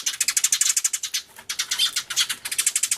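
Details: Sparrows crying very hard in a commotion, recorded 24 March 2013 on an Everio with a turtledove present: loud, relentless high chirps repeated many times per second, with only a brief dip near one and a half seconds.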